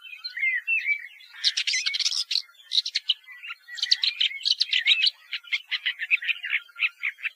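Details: Song of a Woodchat shrike opening with soft, slurred whistles, then breaking into jumbled scratchy phrases and ending with a series of quick, clipped repeated notes.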